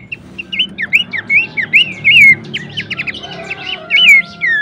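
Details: Horsfield's babbler singing as competition training material. A busy stream of looping whistled notes mixed with fast chatter, some phrases sliding downward, with steady low background noise beneath.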